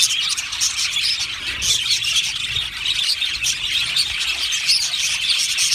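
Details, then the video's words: Many Australian budgerigars singing and chirping in a colony aviary, a bright, constant chattering chorus with scattered clear whistled chirps rising above the warble. "Budgie colony sounds | Budgie singing and chirping sounds"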